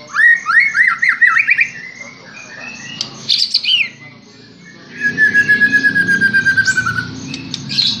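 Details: White-rumped shama, stirred up by a lure recording and pouring out its full repertoire at once: a burst of quick, repeated up-and-down whistled notes, harsh scratchy phrases, then a long, slightly falling trill of rapid pulses.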